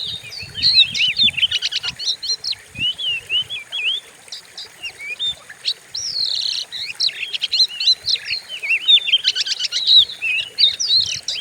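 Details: Training recording of a white-rumped shama for stimulating other birds: flowing whistled phrases broken by fast rattling trills, with quieter pauses and a few low thumps early on.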